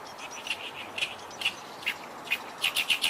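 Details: Oriental reed warbler at close range; scattered harsh chirps that quicken into a rapid burst of grating notes toward the end.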